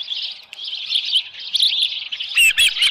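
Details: Osprey at its nest at Dunrovin Ranch on 24 July 2018, about 6:52 in the morning, with a headless fish. High chirping calls run almost without a break, and sharper, louder chirps come near the end.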